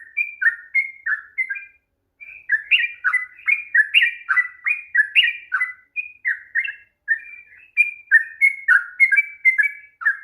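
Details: Sooty-headed bulbul in extended song, used to rouse a bird that will not sing; rapid bursts of slurred whistled notes broken by a few short pauses, continuing steadily.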